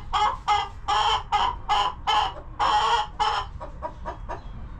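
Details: Chickens clucking in their homestead coop while relaxing and eating: about a dozen loud, hoarse clucks in quick succession, then a few fainter, thinner clucks trailing off.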